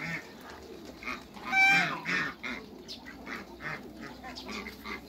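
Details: Cayuga and Muscovy hybrid ducks kept in a backyard: a loud raspy quack, then a run of quicker, softer nasal quacks amid a chatter of other birds.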